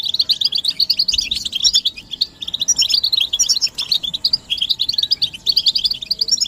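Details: European goldfinches chattering together in calls described as mating and readiness calls for stimulating males to sing; quick, high, metallic twitters run in bursts with brief dips between them.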